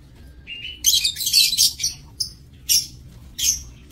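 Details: Caged lovebirds in a breeding aviary, 7 June 2024; a short thin whistle leads into a loud, dense screechy chatter, followed by three separate shrill squawks spaced under a second apart.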